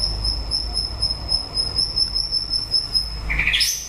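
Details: At the end of its breeding season, a White-rumped shama holds one long, steady high whistle for over three seconds, then breaks into a quick rising sweep of notes.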